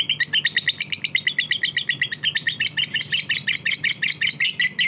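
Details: Lovebird of fighter type delivering a continuous run of rasping, high twittered notes, evenly pulsed about three per second, harsh and busy, with a faint steady hum in the background.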